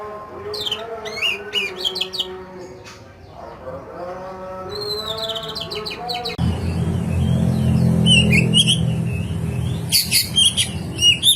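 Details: Oriental magpie-robin in rough fill-in song for training, delivering fast sharp whistled notes and rising slurs, with a lower harmonic warbling passage midway, then a loud rumbling engine-like background under continued high chirps.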